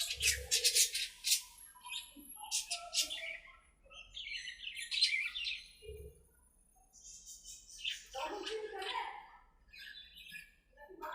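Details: Playful budgerigars in an aviary trading rapid chirps, buzzy rasping bursts and warbled phrases, with short pauses between clusters of chatter.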